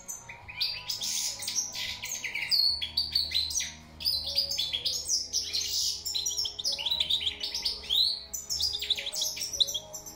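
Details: Lively European goldfinch song, a long run of fast, jangling twitters and chirps delivered in dense phrases with a short gap around four seconds, over a soft low hum.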